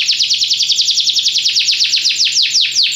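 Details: Belgian canary in full song for training: an unbroken rolling trill of quick swept notes that slows near the end into a few longer, deeper downward slurs.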